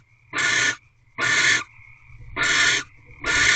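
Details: Wild barn owls mating in an owl box at Corral, 12:11 am, 24 February 2023, sixth night of the ritual: four rasping, hissy screeches of about half a second each, roughly one per second, with a faint steady tone behind.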